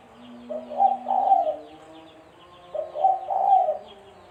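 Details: Two matching cooing phrases from a spotted dove, a sound meant to lure birds for trapping, about two and a half seconds apart, each a brief lead note and two deep, mellow, slightly tremulous coos, with a faint hum.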